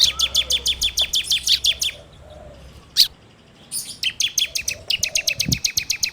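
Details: Ciblek (bar-winged prinia) singing as a training lure, phone recording: long fast trills of clipped high notes, about three per second, broken by a pause with a single sharp note, then the trill resumes.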